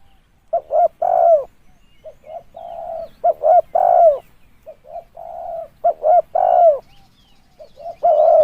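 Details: Spotted dove coo used to lure birds. Low, husky phrases repeat about every two and a half seconds, each with two or three clipped notes leading into a long, sagging final coo, over a quiet background.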